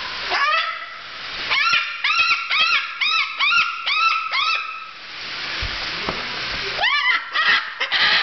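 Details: An umbrella cockatoo on a kitchen floor, excited but happy, gives a rapid burst of rising, nasal yelps, about three a second, then pauses before another short run. A person speaks faintly.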